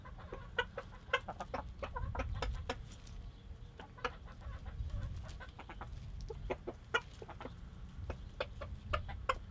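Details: A rooster telling hens where the food is, giving rapid short clucks in uneven bursts over a steady low rumble of background noise.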